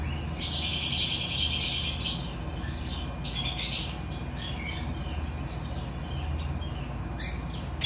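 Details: Cockatiels during mating: harsh, buzzy squawks in long rasping bursts, loudest in the first two seconds, then shorter scratchy calls at intervals over a steady low hum.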